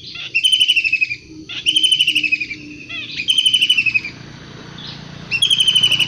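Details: Long-tailed shrike from the wild calling with repeated harsh, buzzy bursts that fall slightly in pitch, about four within six seconds, over a noisier, rumbling background.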